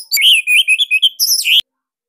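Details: Bali orange-headed thrush, a cage bird, with a unique tight and loud song used to provoke others to sing; a continuous one-and-a-half-second warbled stream of whistles ending in a sharp rising note.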